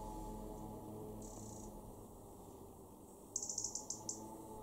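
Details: European robin (Erithacus rubecula) in a garden in Weener, East Frisia, northwest Germany, in November 2023. A thin high note, then a quick run of about seven sharp, high ticking calls, over a low steady rumble.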